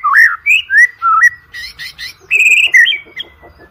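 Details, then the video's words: White-rumped shama singing loudly, used as a lure recording for training competition birds: varied rich whistles rising and falling, a burst of buzzy chatter, then sustained bright notes and a fading downward slur. "OCEHAN MURAI BATU PALING EDAN, COCOK UNTUK PANCINGAN MURAI BATU UNTUK LOMBA"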